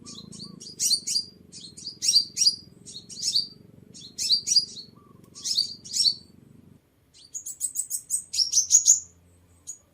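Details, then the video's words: Sunbird lure recording: repeated bursts of very high, quick chittering twitters in close clusters, then a rapid run of thin notes ending in a rising whistle, with a low background hum during the first part. "Tiếng Chim Hút Mật 7 Màu"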